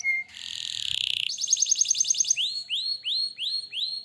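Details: Vigorous canary song, a short whistle, a buzzy roll, a quick stuttering trill, then a steady series of upswept notes repeated roughly three times a second.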